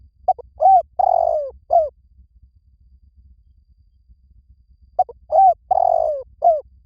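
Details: Spotted dove repeating its cooing song twice, each phrase made of short soft coos around a longer descending drawn-out coo. About three seconds of near silence separate the two phrases, and a faint low hum sits underneath.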